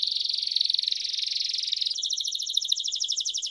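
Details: Timbrado canary tutoring song for young birds: a rich, dense high roll for two seconds, then a quicker, slightly higher pulsed trill of bright doubled notes.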